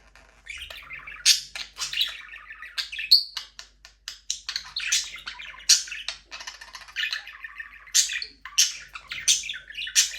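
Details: Budgerigar warbling in a small aviary, a continuous soft chatter punctuated by sharp, high chirps about every second, some notes clicking and buzzy.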